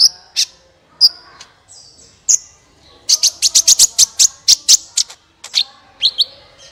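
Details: Sunbird singing, played to encourage other birds to sing: a few isolated piercing high chirps, then a fast run of about a dozen clipped, ticking notes, followed by scattered sharp tweets.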